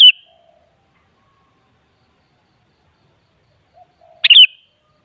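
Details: Kutilang, the sooty-headed bulbul, singing in a recording meant to make another kutilang reply: two isolated brisk chirpy whistled notes about four seconds apart, separated by silence, each preceded by a faint low murmur.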